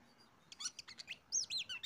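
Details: Short burst of oriental magpie-robin song used as a lure for other birds: a few separate chirps, then clear whistled downslurs, after a near-silent start.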